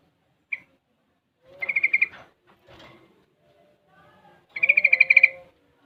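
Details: Young sooty-headed bulbul, six months, actively singing while learning ropel and garuda: one sharp note, then two rolling trills of rapid pulses separated by quiet chattering.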